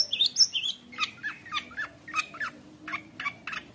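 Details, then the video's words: Long-tailed shrike song meant for tutoring young shrikes. High whistled and scratchy notes open the phrase, then a series of lower, nasal, down-slurred notes follows at roughly three per second, softer toward the end. "CENDET GACOR KONSLET | cocok untuk masteran trotol cendet | shrike bird"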